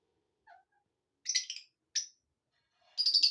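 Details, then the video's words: Happy lovebirds utter a soft chirp, then sharp, shrill squeaks in short bursts, ending with a rapid chattering run of high notes after a silent pause. "love birds happy mood"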